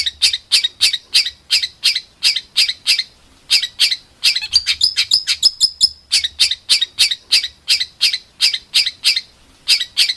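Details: Songbird recorded as masteran training audio for competition songbirds, a rough 'tembakan' style; sharp high chirps repeat about three times a second, broken midway by a quick glittering trill, then the steady chirping resumes.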